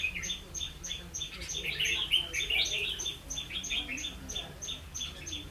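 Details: Red-whiskered bulbul singing as a trapping decoy, 16 October 2016: a dense warbled flurry in the middle, with scattered chirps and a constant fast ticking sound throughout.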